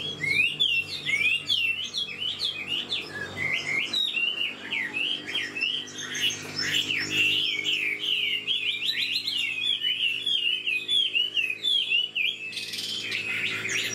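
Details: An old wild-caught Chinese Hwamei, about 90% tamed, sings a rapid, continuous stream of loud, varied whistles and trills, slurring up and down without pause; a faint low hum sits underneath.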